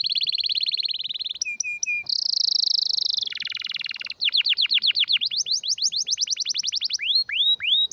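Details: Strong, rare canary song as a training master: a level buzzy trill, short chips, a harsh high roll, then a long series of rapid down-sweeping notes, ending with deeper rising swoops.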